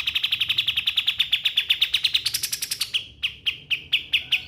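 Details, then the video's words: Pied triller, a recommended tutor for songbirds, with a fast run of bright chirps that rises in pitch, then slows to spaced single sharp notes. "Kapas tembak rekomendasi buat mastering burung kicauan"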